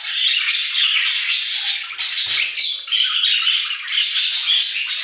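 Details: Budgerigars in an aviary keep up a loud, continuous warbling chatter of buzzy chirps and squeaks, barely pausing, with a faint low knock near two and a half seconds.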